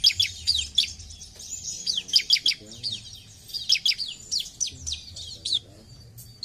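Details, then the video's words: Chattering ciblek (bar-winged prinia) song: dense strings of high, slightly descending chips and twittering notes with hardly any gaps, over soft low rumbling background sounds. "Ciblek Gacor"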